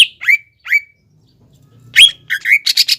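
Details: A greater green leafbird's song serves as a lure for young birds learning to sing: a few separate falling whistles with a gap, then a quick cluster of brighter, more rapid notes.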